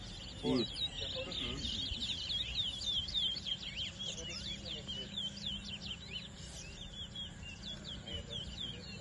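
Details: Competing large-billed seed finches at a Guyanese towa towa race in New Amsterdam, 2022, pour out a long stream of fast, high, sweeping notes and twitters; a brief voice opens the passage and faint hum continues beneath.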